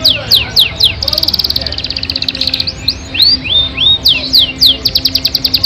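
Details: Yorkshire canary with a long song, mixing quick downslurred whistles, a buzzy rattling trill, rising upslurred whistles and then more rapid sharp descending notes, lively and varied.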